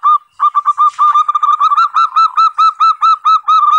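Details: Local zebra dove singing as a master bird meant to prompt other doves to answer: a fast series of clear, mellow, low cooing notes, roughly two each second, steady and evenly spaced for about four seconds.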